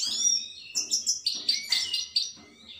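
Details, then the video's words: European goldfinch singing: quick bright twittering phrases of high tinkling notes and short buzzy trills, delivered in bursts with brief pauses. "Пение щегла. Щегол поёт."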